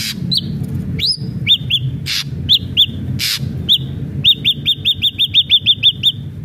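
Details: Ashy drongo singing as a lure for caged birds: a rising whistle, harsh scratchy bursts, then a fast even series of short arched whistled notes repeated about four times a second.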